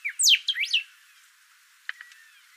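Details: Thick-billed saltator delivering a quick burst of loud, sweeping high whistles, falling and rising slurs within under a second, followed by quiet and a couple of faint short notes.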